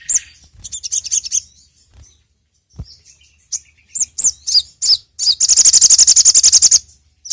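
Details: Sogok ontong or sogon, a songbird favoured by Indonesian bird keepers, played as a lure; loud high chirps and sweeping notes, building to a rapid, sustained buzzy trill near the end.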